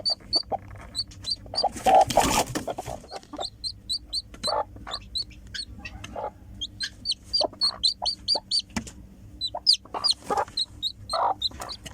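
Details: Newly hatched chicken chick calling as it comes out of the egg: a steady run of sharp, high, downward-sliding peeps, often in quick pairs. One short burst of rustling noise occurs early, and faint low clucks sound underneath.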